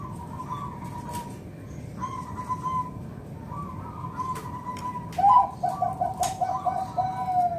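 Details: Zebra Dove song from a local wild bird, played to lure other doves: faint drawn-out coos, then a short burst of quick, bubbling coo notes over steady background hiss.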